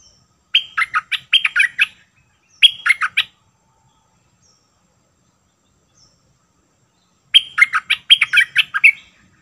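Sooty-headed bulbul singing three bursts of quick, bubbly, chattering whistled notes, each lasting about a second, separated by pauses, with little else heard.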